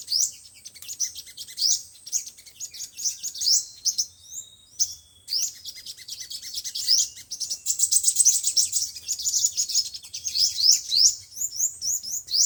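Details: Sunbirds of the five-colour and seven-colour kinds singing, played from a loudspeaker to lure birds into traps: irregular high rising chirps, a short quiet break, then a long, rapid, buzzy high trill mixed with sharp upward sweeps.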